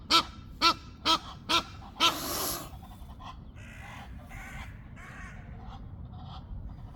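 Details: A male greylag goose gives five loud, nasal honks about half a second apart, ending in a harsher drawn-out note, while Egyptian geese call more faintly in the background.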